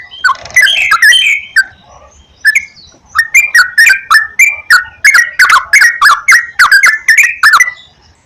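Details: Yellow-vented bulbul song meant to coax a kept bird into singing: a slurred opening phrase, a short gap, then a long lively series of liquid chirping whistles in quick succession.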